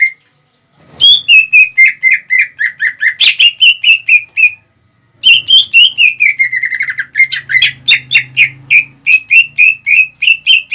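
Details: Greater green leafbird song to provoke rival birds; long fast sequences of whistled and chattering notes at about four per second, broken by one short silence, with a faint low hum beneath.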